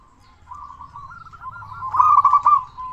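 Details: Local zebra dove, a constant singer, used as a lure to make other doves sing quickly. Quiet rippling coos build steadily into a loud, bubbling trill near the end.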